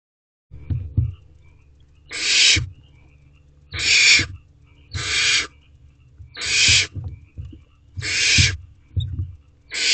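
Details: Barn owl owlet in a nest box on an evening at 8:35 pm, 7 May 2023, trying again to swallow a rabbit whole: harsh, hissing screeches of about half a second, repeated roughly every one and a half seconds, with soft low thumps between.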